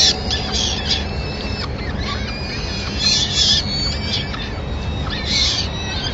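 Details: Falcon nest in Madrid on 24 April 2016 as the male delivers small prey and the female feeds the chicks; high thin wavering squeals in bursts, loudest near three and five seconds, over a steady low hum.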